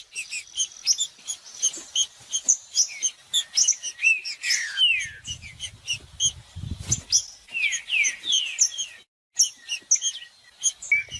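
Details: Green-winged saltator song in 'macheando' style, aimed at warming up a cold saltator. Short sequences of downward-sliding whistles appear amid nearly continuous high chirps and twitters, with a brief low rustling burst in the middle.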